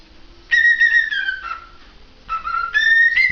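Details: Cockatiel whistling two clear tonal phrases: the first starts high and slides gently downward, and after a pause the second begins lower and steps upward in pitch, both rich with overtones.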